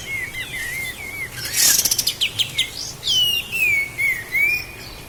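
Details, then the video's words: Sooty-headed bulbul from Lahat, kept as a master recording for training cage birds: a run of clear, wavering whistled notes, then a burst of sharp rapid chips and higher swooping whistles near the end. "Masteran Burung Kapas Tembak Asli LAHAT"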